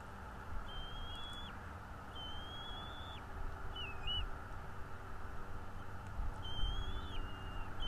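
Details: Bald eagle calls at a nest in northeast Florida, picked up by a nest camera one morning in 2022: high, thin whistled notes, each drawn out and slurring at its end, in short bursts over steady low background rumble.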